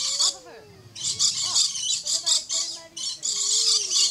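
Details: Rainbow lorikeet vocalizing from a tree at Lion Country Safari in Florida: harsh, high raspy screeching bursts in quick succession, mixed with lower sliding whistled notes.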